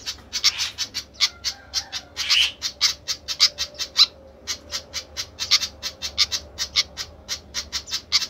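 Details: Long bout of fast, dry, high tick notes from a noisy flycatcher, a harsh rasping squawk early on, then a brief pause before the chipping resumes in dense clusters.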